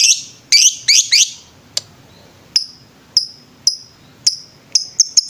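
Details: Lovebird singing in the ngetrek style on a master recording for training birds: a burst of shrill, buzzy squeaks, then single sharp high chirps spaced about half a second apart.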